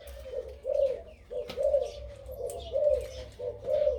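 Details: A crossbred dove with a big voice and a two-to-three 'kuk' karam pattern gives repeated deep coo phrases, each rising into a fuller, held note, about one per second.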